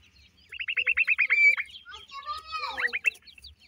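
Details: Black francolin chicks of the new season, kept for sale, give a run of about ten quick, high, evenly spaced chirps, then a few sliding, squeaky notes mixed with a low human voice and faint background hum.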